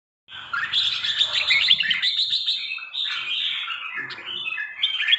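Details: Red-whiskered bulbul from Trà My, three seasons old, singing a dense, continuous run of bright chattering and warbled notes. The notes are high and jumbled, tumble together with little pause, and grow louder toward the end.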